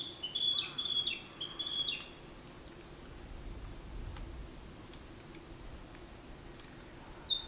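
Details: Narcissus flycatcher male on 10 May 2026, giving three rapid, repeated whistled phrases within two seconds, then a stretch of quiet, and a sharp high note right at the end.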